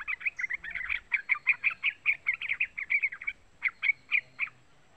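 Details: Young yellow-vented bulbul (trucukan) calling, used as a lure to excite trucuk birds into singing: a quick run of short, bright chirps, about twenty notes in four and a half seconds, with a brief pause midway.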